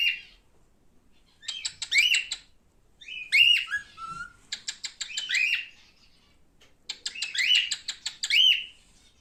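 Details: Male cockatiel chattering in three bursts, each a fast run of ticking clicks mixed with rising and falling whistled notes, separated by short pauses.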